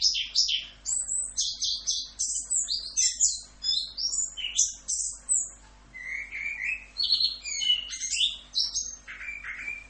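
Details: Orange-headed thrush singing its 'full Rock'n Roll' tutor song: a dense run of high, scratchy, rattling phrases at first, then lower whistled slurs and twittering, nearly continuous for ten seconds.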